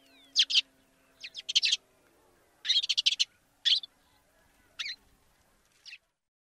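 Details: African sparrow delivering a mix of stuttering chirp bursts and single sharp notes, the groups irregularly spaced and fading to lone chirps toward the end; a faint low hum runs underneath.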